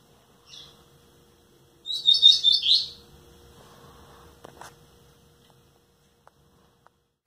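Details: A nine-month-old (nearly ten) rusty-collared seedeater kept by a breeder gives a brief high note, then about a second of fast, bright, warbled twittering, over a faint electrical hum and a single click.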